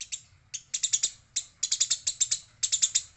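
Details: Fighting Eurasian tree sparrow, reportedly female, giving clustered runs of harsh, metallic high chirps, several per second, broken by short gaps, over a soft low background hum.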